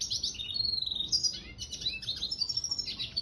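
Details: Energetic 'gacor' song from a red siskin mule, a continuous stream of high, fast chattering notes with sliding whistled phrases woven through, delivered without a break.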